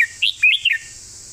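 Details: Red-whiskered bulbul 'phleng mae bot' master song: one short, clear phrase of four liquid, slurred whistles that rise and fall, crisp against a quiet background with faint steady hiss.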